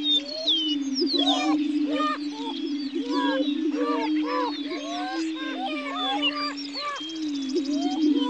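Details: Lek of greater prairie-chickens, a state-endangered species, at Dunn Ranch Prairie near Hatfield, Missouri: low sustained booming hum with many sharp cackles and rising yelps layered above, busy and unbroken for the whole stretch.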